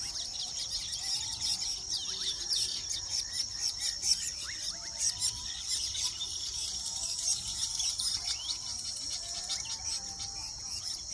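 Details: Weaver colony at a nesting site in Uganda, with dense, high chatter: many overlapping buzzy chirps and sizzling notes running together over a steady insect-like hiss.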